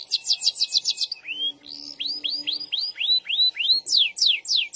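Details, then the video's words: SF canary singing a long rolling song: a fast buzzy high trill, then a run of repeated rising-falling whistled arcs, about three a second, ending in rapid descending sweeps. A faint low hum runs underneath. "SUARA KENARI SF GACOR NGEROLL PANJANG PENUH EMOSI"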